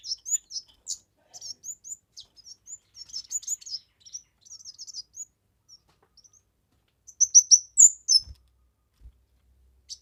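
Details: Kemade bird in full song, a recording for tutoring, luring and stimulating other birds: quick high chirps and soft twittering, quieter mid-section, then a loud burst of sharp notes near the end.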